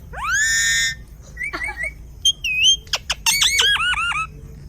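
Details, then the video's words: Parrot in a zoo in south India, giving a varied run of loud harmonic squawks: a long drawn-out rising note, then warbled and wavering calls, sharp clicks, and a closing series of quick repeated downslurred notes. "Parrot Making Amazing Sounds"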